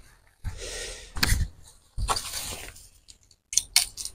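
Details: Clinking, glassy knocks and rustling handling sounds come in short bursts with quiet gaps between, and no animal voice can be heard.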